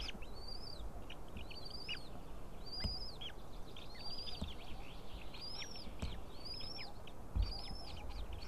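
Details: At a nest on 20 April 2016 at 7:38, with the female feeding three small chicks, a white-tailed eagle gives thin, high, arched peeping calls about once a second over a steady low rumble of wind.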